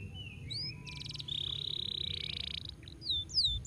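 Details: Belgian canary sings high, quick whistled slides, a brief buzzy burst and a long, fast rolling trill held for over a second, over a low background hum; used to stimulate other birds to sing.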